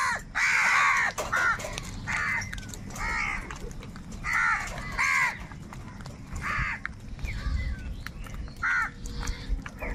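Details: Crows fighting for food in a huge gathering: dense runs of harsh, ragged caws, loudest near the start, then scattered calls over low-pitched noise.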